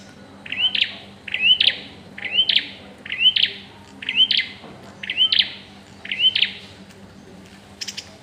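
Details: During pairing, a bar-winged prinia repeats a quick upslurred whistle with a rasping click-like tail, roughly every second, seven times in a row, against a soft constant background hum.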